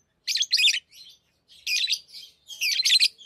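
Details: Pet lovebirds at play with rings, chattering in three dense bursts of harsh, high, squeaky chirps, each lasting about half a second, with short pauses between.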